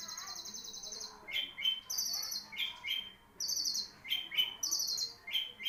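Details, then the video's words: A long-tailed shrike sings, alternating high buzzy bursts with sharp, quick, downslurred whistled notes in an irregular sequence, with brief pauses between phrases. "CENDET MARLBORO | BURUNG SI RAJA DURASI"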